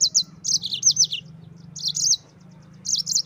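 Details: Energetic rolling song of a yellow-fronted canary meant to tutor white-eyes: rapid high chirps and downward slurs in tight clusters, broken by brief gaps, over a faint low drone.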